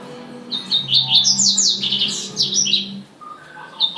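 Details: Double-collared seedeater (coleiro tuitui) delivering a fast, high warbled song of tight repeated notes and buzzy trills lasting about two and a half seconds, with a low hum beneath and a brief speech-like sound afterward.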